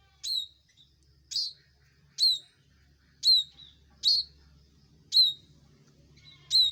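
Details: Bar-winged prinia calling loudly: sharp, bright chirps that flick down and level off, repeated roughly every second with slight irregular spacing, over a faint low hum.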